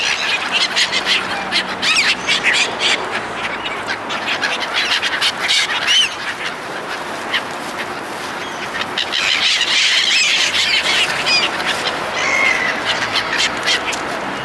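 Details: Seagulls gathered at a feeding by people, ragged bursts of squawking from many birds, with a louder surge of cries later on.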